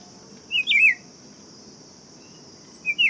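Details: Buff-throated Saltator song: a clear warbling whistled phrase with a quick up-and-down twist, then a pause of two seconds before a second brief whistle begins, steady high buzzing drone behind.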